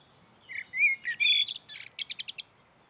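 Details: A common blackbird sings in the morning beside a forest watering hole: a mellow fluted whistled phrase that ends in a rapid twittering run of five short high notes.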